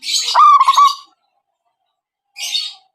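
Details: Zebra dove call used as a trapping lure: one short rolling coo broken into quick pulses, preceded and followed by brief hissy, scratchy higher-pitched noises.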